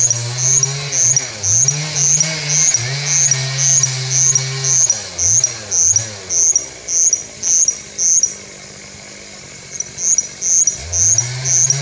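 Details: Russet bush warbler singing, a high, buzzy, insect-like note repeated about twice a second, almost in sync with a chainsaw droning and revving throughout.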